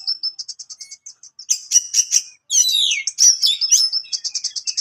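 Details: Oriental magpie-robin (kacer HC) giving sharp, provoking song aimed at rivals: evenly spaced high clicking notes, then loud rich whistles and grating phrases, ending in a fast rhythmic stutter.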